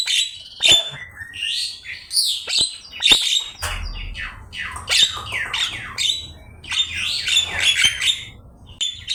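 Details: Javan myna master song for training songbirds: high, bright whistles and squeaky chatter, notes tumbling rapidly with brief pauses, over a low humming background.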